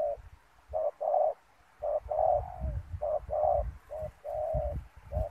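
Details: Spotted dove decoy calling to draw wild doves toward a ground net snare: short mellow coos in a steady series of paired and drawn-out notes, over low thuds and handling noise.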